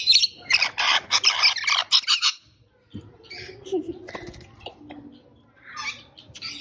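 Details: Rainbow lorikeet screeching: a fast run of harsh, buzzy, broadband shrieks packed into the first two seconds, then quieter scattered rasping notes with a low background murmur.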